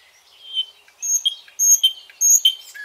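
A nightingale sings a run of rich, high whistled notes repeated roughly every half second, each swelling sharply then fading, over a faint hiss.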